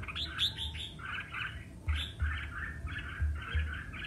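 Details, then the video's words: Red-whiskered bulbul song during competitive singing: a few sharp rising whistled notes, then a fast chatter of chirped two-tone syllables that comes twice, with low thuds in the background. "Chào Mào Hót Đấu - Kích Chào Mào Hót Đấu Căng Lửa"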